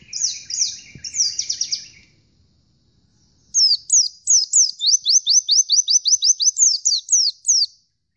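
Oriental white-eye sings high, thin twittering bursts, then a fast run of about fifteen sharp, down-slurred notes, several each second, with nothing else heard.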